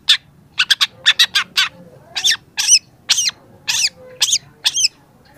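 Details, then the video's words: Young long-tailed shrike singing hard, recorded to train other shrikes: quick clusters of clipped, harsh notes followed by slower, wavering squawked calls about twice per second, over faint low noise. "cendet muda sudah gacor pancingan cendet malas bunyi"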